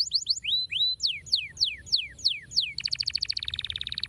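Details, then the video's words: Lazy canaries are meant to be stirred by this canary song: quick chips, long downward-sweeping whistles repeated about three times a second, then a very fast, even roll of notes. "estimula rapidamente o som de canários preguiçosos cantando"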